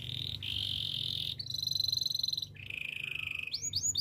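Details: Canary singing a training song: a sustained rolling trill, then a higher bell-like rapid trill, a lower steady roll, and finally a few quick rising whistled notes, with a faint low hum beneath.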